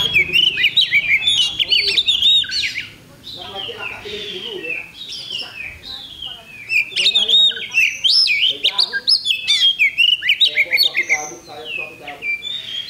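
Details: Kacer, the Oriental magpie-robin, competing at a bird-singing contest on 8 October 2020. It gives a long run of rich whistles, slurred upsweeps and quick chirps, with a quieter pause near the middle. Chatter in the background.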